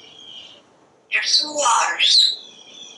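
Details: Parrot chattering from a screened back porch as it watches squirrels and birds, right after saying words like broccoli and water; a single gravelly, speech-like phrase with a squeaky rising tail over faint background hiss.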